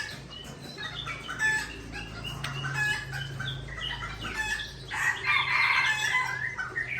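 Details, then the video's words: White-rumped shama of Aceh origin from Tangse, Indonesia, singing against a rival: a fast stream of varied whistled and chattering notes, with sharp clicks and louder bright phrases near the end, over a low steady hum. "Murai Aceh Original Tangse Bereng Sebeng Lawan"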